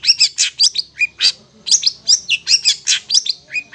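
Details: Long-tailed shrike master song meant for hand-fed young birds to learn, made of harsh, scratchy high notes in short phrases about every quarter second, mixed with a few lower whistled notes.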